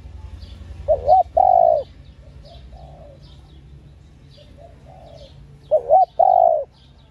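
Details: Female spotted dove calling to stimulate male doves: two short bent notes then a longer steady coo, the phrase repeated after about five seconds, with fainter softer coos in between.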